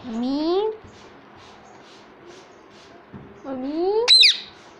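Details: Pet ringneck parrot talking: a rising, nasal, voice-like syllable, a quiet pause with faint background murmur, then another rising syllable ending in a sharp, shrill screech.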